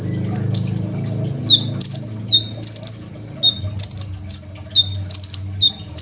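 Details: Caged Crimson sunbird giving persistent varied song for training other songbirds: opens with a long very high trill, then bursts of buzzy trills alternating with short high whistles, with low rumble at the start.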